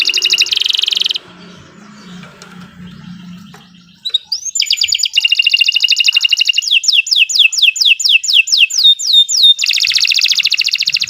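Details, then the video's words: Canary master song intended to train other birds and provoke stalled singers. A dense trill opens, a quieter stretch follows with faint low sounds, then rapid trills and falling sweeps build into a loud closing trill. "Kicau Burung Kenari 106 II GACOR PANJANG Cocok untuk Masteran Super"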